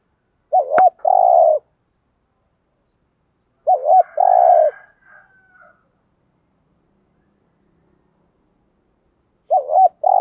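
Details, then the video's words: Spotted dove kept as a calling lure to bring wild doves to answer. Three phrases about three seconds apart, each a wavering coo pair and a long coo, with a sharp click at the start and soft notes after the second phrase. "chim cu gáy mồi thúc rút bổi gáy theo rất cao"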